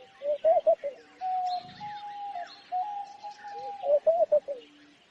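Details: Homing pigeon gives low, throaty coos in quick groups of three that open and close the recording, among trees; a long steady whistled note and thin high chirps from other birds fill the middle.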